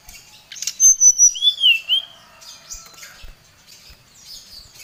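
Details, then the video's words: Oriental magpie-robin calling out a rival: a short burst of sweet whistles with a sliding, wavering phrase, followed by quieter scattered chirps. "Suara Pancingan SRDC Gacor | srdc memanggil lawan | srdc gacor Emosi"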